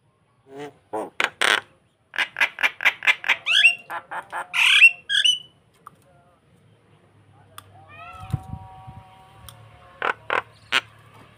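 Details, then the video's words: Starling song used to lure another bird: quick series of harsh, raspy notes and a loud squawk, then falling whistles over a low buzzy tone, ending with three more rasping notes. "Burung jalak memancing mangguk mangguk"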